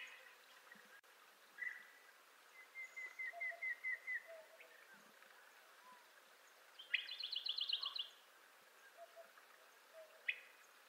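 Montezuma quail calling: a string of quick, thin chirping notes at even pitch, then a brief, higher, rapid run of notes, over quiet outdoor background.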